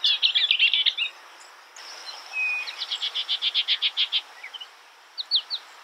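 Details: A skylark delivers dense high chirping, then a long, steady series of quick, clipped notes repeated several times per second, ending in scattered short chirps over a soft background hiss.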